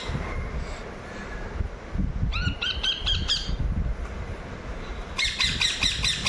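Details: Pet rose-ringed parakeet (Psittacula krameri) indoors during feeding gives two bursts of harsh, rasping screeches, the second louder and longer, over a low indoor rumble and faint traffic.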